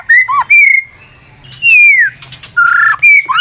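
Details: Lure song of a white-rumped shama: long clear whistles, some level, some gliding downward, broken by a short harsh burst and a few brief sharp notes.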